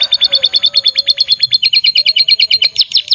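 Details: Lively gacor song of a canary, a steady run of rapid, high, sharp trilled notes repeated many times a second, shifting slightly in pitch partway through, with faint low background hum.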